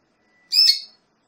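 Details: Canary; female call; female calling to stimulate a male for breeding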